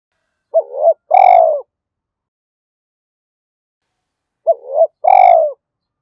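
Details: Spotted dove decoy calling to attract domestic and wild birds. The phrase, a quick paired hoot then a long, full, falling coo, comes twice about four seconds apart with silence between.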